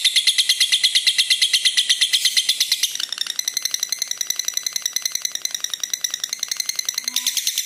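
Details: Red-eyed lutino lovebird in a long trilling song, used as a lure and tutor for other lovebirds: a sustained rapid rattle, louder at first, then a softer and faster run of pulses, rising again at the end.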